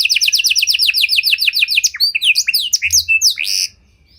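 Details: Song of a Panda canary, meant for luring and training other canaries: a quick pulsed trill of downslurred notes gives way to scattered sharp whistled sweeps, then falls silent.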